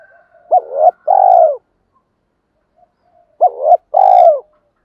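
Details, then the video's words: Decoy spotted dove cooing to attract wild doves; two loud phrases, each a short rising double coo then a longer, mellow, downward-sliding note, separated by a quiet pause. "chim cu mồi gáy gọi và tiếng thúc giúp bổi nhanh nổi"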